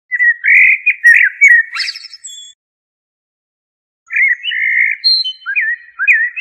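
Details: Common blackbird (Turdus merula) singing two mellow, warbled fluty phrases, each closing with a thin, squeaky high-pitched twitter, separated by roughly a second and a half of silence; no other sounds in the background.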